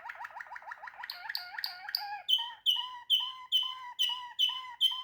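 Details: Singing Waterslager canary: a quick, low, gurgling roll changes into loud, spaced, repeated piping notes, each bright note sliding into a deeper echoing tone, roughly two per second.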